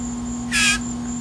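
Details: A single short, harsh, rasping shriek from a hand-fed blue jay calling when hungry at feeding time, set against a constant low hum.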